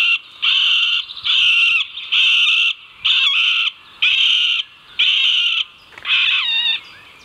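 A middle spotted woodpecker gives about eight drawn-out, nasal, harsh notes in a slow series, roughly one per second, each held about half a second.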